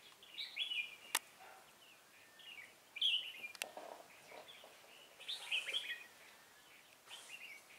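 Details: Red-whiskered bulbul at a trap, recorded 16 November 2017, giving scattered lilting whistled phrases roughly every two seconds, mixed with sharp clicking knocks and light hiss.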